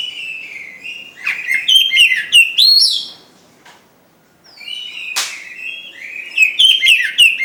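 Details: White-rumped shama, or kacer, kept in a cage, sings chattering runs of whistles and sharp chirps, goes silent for about a second, then a harsh burst is followed by more varied twittering phrases.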